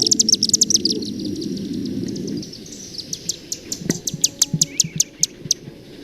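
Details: Chimney Swift calls from a Macaulay Library recording: a run of sharp, high chip notes, rapid at first and then spaced singly, over a low rumbling background that fades after about two seconds.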